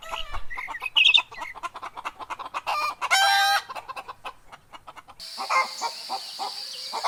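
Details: Chickens and rabbits forage for food in grass; steady clucking and high peeps surround a brief, loud, harmonic crowing burst lasting about half a second, followed by softer clucks against a hissing background.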